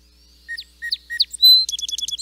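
A Song Sparrow sings three bright, upslurred opening notes, then a sustained high buzz, ending in a quick run of repeated chips. Nothing else is heard.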